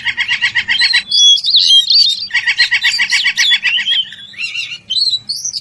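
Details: Oriental magpie-robin (kacer) calling an opponent with a series of harsh, rapidly repeated chattering notes, then clear high whistles and rising slurs, before another burst of chatter and a final whistled phrase.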